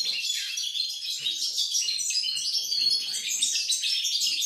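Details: Goldfinch, pied form, in full song on 28 November 2020, a dense unbroken chatter of high, jingling twitters and fine trills, loud and even throughout with barely a break.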